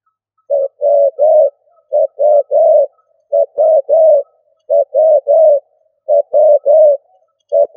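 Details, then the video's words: Stuttering 'cà lăm' coo of a decoy spotted dove. Evenly spaced triplets of low, resonant coos, each group a short note followed by two longer ones, recur roughly every second and a half in clean quiet. "Cu gáy mồi gù cà lăm"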